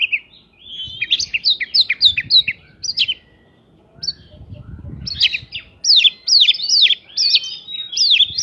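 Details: Oriental magpie-robin song used to stir other birds to answer quickly, with prinia-like content: rapid series of sharp, rising-falling chirps in quick runs, a pause near the middle, then another fast repeated burst.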